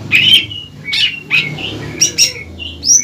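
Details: Untrained greater green leafbird singing hard to make a rival leafbird answer: varied chips, buzzy slurs and high whistled notes in quick succession, over a low steady hum.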